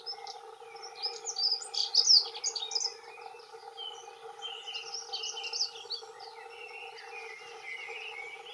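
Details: Territorial singing by two male dunnocks: a loud hurried jingle of high squeaky notes early on, then softer warbling phrases trailing off, steady low hum throughout.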